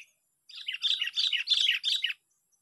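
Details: Trapped Sooty-headed bulbul in a park delivers a continuous, loud bubbling phrase of rapid, warbled notes lasting about one and a half seconds, with no other sounds.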